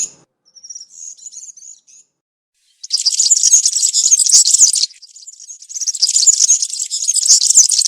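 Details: Country-style European serin song from woodland, meant for young birds to copy: a brief thin phrase, a pause, then long continuous high jingling, sizzling trills running over five seconds with a short dip midway.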